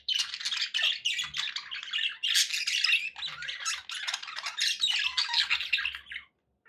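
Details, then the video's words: Several pet budgerigars warble in a busy, raspy chatter of quick chirps, about three notes a second, fading out at the end. "1 hour of budgie sounds"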